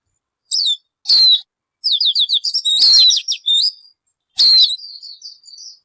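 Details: A single bird sends out separated phrases: a short high note, a loud downward-sweeping whistle, a rattling series of quick repeated notes, and a soft wavering trailing warble.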